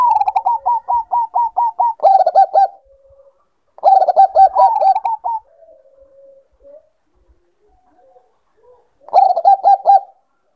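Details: Caged Bangkok-type zebra dove in breeding condition starts with a long evenly spaced string of about eight short coos, then fast staccato bursts, each trailing off into a quiet low purr.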